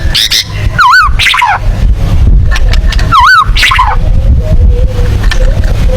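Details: White-rumped shama (murai batu) in tembakan style for contest birds: two loud wavering, undulating whistled notes a couple of seconds apart, each followed by a quick descending chatter, over low background noise.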